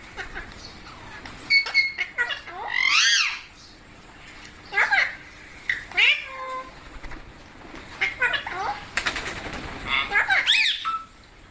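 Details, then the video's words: Indian green parrot kept as a pet, vocalising with its owner: several looping, wavering squawky phrases with speech-like rises and falls, spaced by short silences, some resembling meows. "Funny Parrot Sounds"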